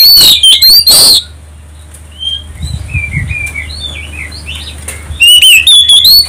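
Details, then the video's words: Oriental magpie-robin song used as a provoking call for other birds: a loud burst of ringing whistles, a quieter gap with soft scattered warbled notes and faint rustling, then another loud run of rich whistled phrases. "pancingan kacer ampuh tercepat nyaut langsung gacor"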